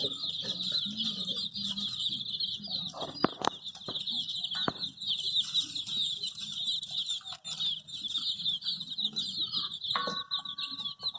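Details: Colourful baby chicks, dyed in bright shades, looking for their mother, keep up a steady wall of shrill overlapping peeps, broken by a few sharp knocks and brief rustling.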